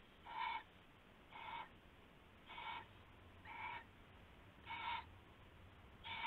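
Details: Owl at night, 19 February 2016 around 4 AM, while rabbit prey is passed between owls; six short raspy, harmonic-rich calls roughly once a second over a steady low hum.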